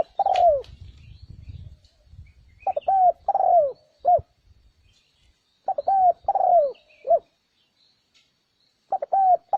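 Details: Spotted dove lure sound for attracting wild doves: a rhythmic series of coo phrases, short bent notes, then long falling coos and a clipped end note. Brief low rumbling noise at the start.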